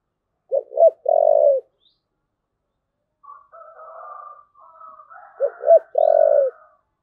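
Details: Spotted dove in 'thúc gù' cooing: two clipped low notes then a long drawn coo, heard twice, with a rooster-like crowing in the gap between the two phrases.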